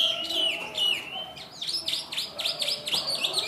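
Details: A caged yellow-legged Chinese hwamei sings loud, rich whistled phrases, first slurred and falling, then quick repeated downward-sweeping notes about four per second; faint voices in the background.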